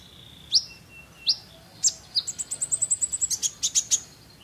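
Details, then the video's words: A sunbird gives three sharp, high upslurred chips, then a fast, thin, twittering trill of about fifteen bright notes, against a quiet background. "kolibri ninja gacor"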